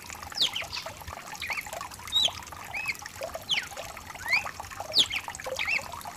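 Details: Song of a mutation cardinal, used to warm up a caged cardinal: short, sharp whistled notes sweeping steeply up or down, given at irregular intervals over steady rain and trickling water.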